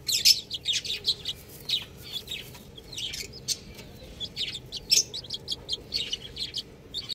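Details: Young chickens cheeping in a group: sharp, high-pitched chirps in quick irregular bursts, loud and constant, over low background hum.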